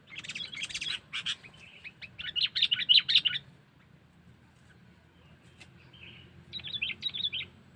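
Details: Sooty-headed bulbul calling as a lure to draw in wild birds: rapid bursts of high, chattering chirps in several clusters, a quiet gap in the middle, then a final burst of chirps.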